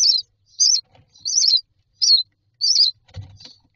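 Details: Nestling mynas inside a nest box asking for food, giving short wavering high-pitched rasping chirps in bursts about every half to one second, followed by a soft low rustling thump.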